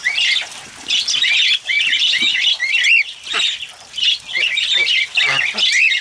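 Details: Cockatiels call while bathing in the rain: dense bursts of warbling, chirping notes, with brief pauses every second or so, over a soft background patter and hiss.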